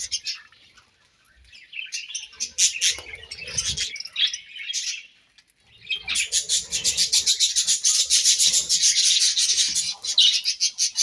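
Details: Budgies eating grass: a few scattered chirps and a short burst of chatter, a near-silent pause, then a sustained loud chorus of rapid, buzzy twittering until the end.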